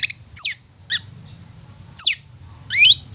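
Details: Long-tailed shrike lure song meant to set quiet caged birds singing: five separate sharp notes spaced across three seconds, mostly steep downward sweeps, ending in a rising double whistle, over a faint low hum.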